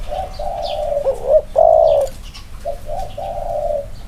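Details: Spotted doves, two birds compared for their inner-circle cooing style; overlapping long hollow coos with short wavering notes mid-sequence, one voice louder, under faint background noise.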